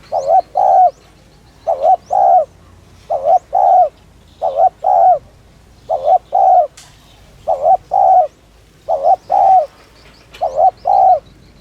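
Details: Spotted dove giving its urging 'thúc' coo, used to lure and stimulate wild doves: paired phrases, a short wavering note then a longer steady hollow coo, repeated about every one and a half seconds, eight phrases, with faint thin chirps in the background.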